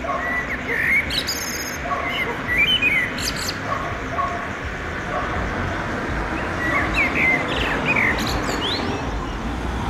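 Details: Male common blackbird singing at sunset from near a pedestrian bridge over a railway in Oradea, establishing a territory. It gives short mellow fluted warbles, each ending in high thin squeaky twitters, separated by pauses, over a constant broad urban rumble.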